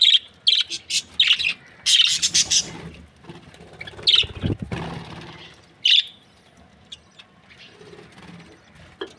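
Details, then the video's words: Budgerigars in breeding pairs, Australian parrots, with a quick series of sharp high chirps early on, then sparser squeaks and a low rumbling thump in the middle. "Amazing budgies chirping sounds | Australian parrot breeding pairs"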